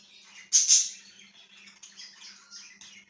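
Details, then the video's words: Budgie chattering in a small room, two sharp, bright squawks near the half-second mark, followed by quieter rambling twitters and clicks over a constant low electrical hum. "#budgiechirping #birdsounds #parakeetsounds"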